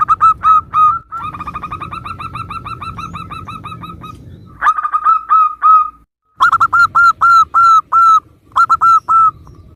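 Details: Local Zebra dove in vigorous song, part of a compilation of varied calls used as a lure to provoke other doves into answering: rapid series of short, clear, mid-pitched cooing notes with slight downward tails, broken by brief pauses, over a low background hum.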